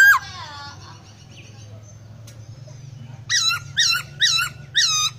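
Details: Laughingthrush singing energetically with unusual, varied sounds: a brief opening note, a quiet pause, then four loud slurred whistles with strong overtones, spaced about half a second apart. A low hum is heard throughout.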